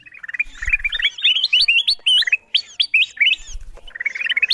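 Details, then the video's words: Kutilang emas bulbul lure call, played to draw wild birds down to its source: bright chattering series of short rising whistled notes around mid-high pitch, run together in quick bursts with brief gaps, a couple of low thumps underneath. "Suara pikat kutilang emas memanggil burung liar"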